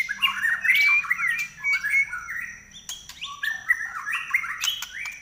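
A white-rumped shama pours out fast, shrill whistled phrases that slur up and down, packed with varied notes, broken by a few sharp clicks nearby.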